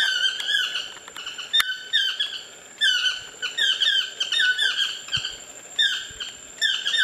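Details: Wild Chestnut-mandibled toucans calling from trees near a bungalow at an ecolodge on the Osa Peninsula, Costa Rica; bursts of rapid, harmonic yelping notes, each sliding downward, in clusters roughly every second, with a steady high hum behind.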